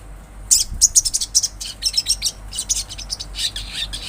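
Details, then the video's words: Olive-backed sunbird in natural surroundings, singing a rapid series of high, sharp chirps and thin twittering notes, uneven in spacing, over a steady low background hum. "Sogon gacor suara Asli Alam"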